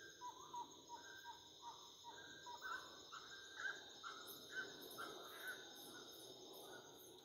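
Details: Wood rail at nightfall giving a repeated run of short, upward-inflected notes roughly once a second, some doubled, while insects keep up a steady shrill drone.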